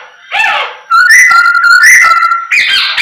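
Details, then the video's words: Loud whistled song of a Chinese hwamei meant to stir other birds: a rough rising note, then long steady whistles that step up and down in pitch, ending in a higher buzzy phrase. "OCEHAN Poksay Hongkong Gacor Efektif Bikin Burung Kesayangan Bos q Ikut Emosi + GACOR"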